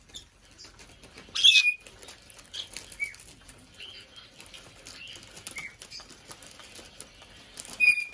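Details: A five-year-old female Black-headed caique in a bird room gives a loud squawk, then short high squeaky chirps every second or so, ending in another sharp squeal, with soft rustling between.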